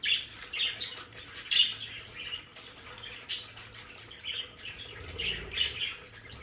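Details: Budgerigars kept in a home play area chirp softly in high, scratchy notes, spaced irregularly, with a few sharper clicks and a low hum underneath.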